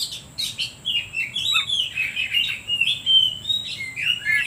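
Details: Kacer (oriental magpie-robin) singing a lure song intended to make other birds sing. Continuous warbled, slurred whistles with a pulsing rhythm and scratchy overtones, steady in loudness throughout.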